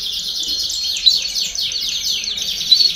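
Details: Many domestic canaries sing at once to stimulate young birds to sing: a dense, steady wash of fast descending trills with a few brighter notes standing out.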